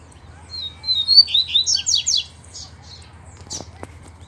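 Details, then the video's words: A double-collared seedeater sings in a duel with a loose wild male: a clear whistled start that speeds into loud, buzzy, chattering notes, followed by a couple of short clicks. "Coleiros Altas Horas e Braddock Cantando e Disputando Com o Coleiro Solto!!!"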